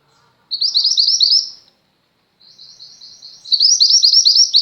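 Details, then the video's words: Female mountain mantenan white-eye in lively song for training pet white-eyes: a loud burst of rapid high chirps, a short pause, then a soft twitter rising into another strong chirping run. "mantenan gunung betina gacor, cocok untuk masteran burung pleci anda."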